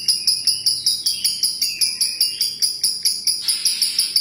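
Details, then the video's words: Lovebird giving long ngekek chatter, a rapid run of bright, high notes pulsing a little over twice per second, with a faint lower rising trill partway through and a louder burst near the end. "Love birds gacor ngekek panjang konslet - Love Birds Sounds Ngekek"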